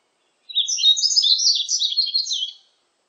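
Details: A yellow-throated bunting, recorded in 2020, sings one quick, high two-second phrase, a tumbling run of thin twittering notes with no other sounds.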